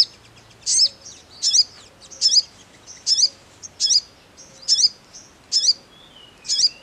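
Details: Crimson sunbird calling: sharp, very high chipping notes given in short bursts roughly every second, evenly repeated, with a thin falling whistle near the end and a quiet background.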